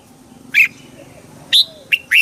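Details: Red-whiskered bulbul, played to excite other birds; a few short, bright chirped notes spaced about half a second apart over a quiet background.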